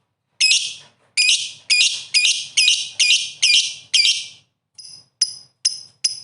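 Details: Lovebird calling: a rapid run of piercing, raspy high chirps roughly twice a second, followed by thinner, clearer squeaky notes at the end.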